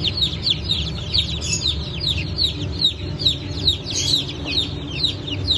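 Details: Brood of freshly hatched Brahma, Sultan and Appenzeller chicks and pheasant chicks, hatched 9 May 2024, peeping nonstop: many shrill falling cheeps, roughly two per second from each bird, layered over a constant low background rumble.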